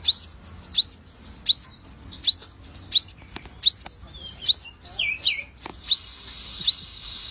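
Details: An unusually coloured sogon singing vigorously, giving a steady series of high, thin upslurred whistles roughly every 0.7 seconds, with one lower falling note near the end and light ticking between phrases.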